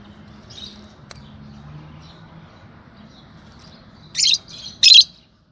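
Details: Two loud shrill chirps with a softer note between, from a yellow pair of Fischer's lovebirds, after several seconds of near quiet.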